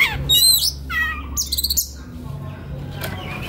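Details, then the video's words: White-rumped shama, relaxed song for training young birds; a few bright whistles and a short rapid stuttering burst, then quieter faint notes over a steady low hum. "SUARA KACER SANTAI LANJUT KONSLET Pas Buat Masteran Kacer Bahan Muda Hutan"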